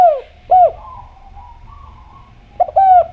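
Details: Javan spotted dove, or derkuku, singing in a clear voice as a calling lure. A short falling coo and a rounded coo are followed by a quiet pause with a faint warble, then a clipped double note leading into a long husky coo.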